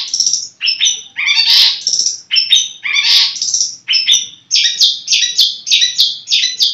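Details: Long-tailed Shrike (cendet), a kept cage bird, sings a loud, varied jumble of harsh chatters and high whistles, then a rapid run of scratchy notes about three per second.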